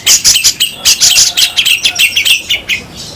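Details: Grey-cheeked bulbul (cucak jenggot) singing a harsh, rough 'besetan' style song used as training audio for songbirds: a rapid run of scratchy, chattering notes, strong and varied, with brief buzzy whistles between bursts.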